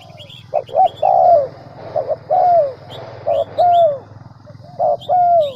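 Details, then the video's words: Spotted dove cooing from a lure recording used to get wild doves calling: repeated phrases of clipped notes and a longer sliding coo, over a steady low hum, with high twittering of other small birds. "Tiếng cu mồi đỉnh nhất 2019"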